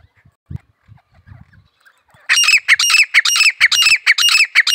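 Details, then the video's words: Grey francolin (desi teetar) starting up after quiet low knocks and scuffs, then delivering a loud run of grating, squawking notes in a steady rising rhythm. "teetar ki awaz desi teetar ki awaz grey francolin voice"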